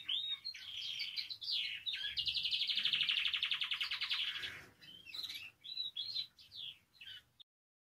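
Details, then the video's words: Spanish timbrado canary in full song for learning purposes: assorted chirps open into a bright, rapid rolled trill of about two seconds, then choppy high whistled phrases before the sound cuts off. "CANARIO CANTANDO"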